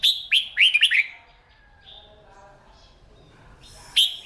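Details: Caged red-whiskered bulbul practising its morning fighting song: a fast opening run of loud looping whistles, a quiet pause with faint chatter, then one more sharp note.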